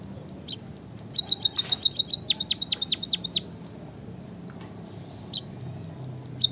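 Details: White-headed munia, locally called emprit kaji or bondol haji, singing actively: a quick run of about a dozen sharp, high, downslurred chirps over roughly two seconds, then faint scattered notes over a low background rumble.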